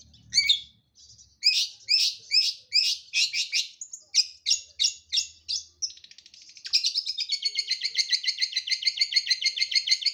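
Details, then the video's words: Long-tailed shrike song opening with a string of separate harsh, scratchy notes, then breaking into a long, steady, rapid buzzing rattle lasting over three seconds. "Burung Pentet gacor"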